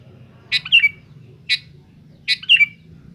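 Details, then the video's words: Noisy sooty-headed bulbul pressing its rivals, giving three brief chattering phrases about a second apart, each a sharp burst then a slurred downward note, with faint low hum beneath. "suara BURUNG KUTILANG GACOR RIBUT MENEKAN LAWAN kutilang mu pas nyaut"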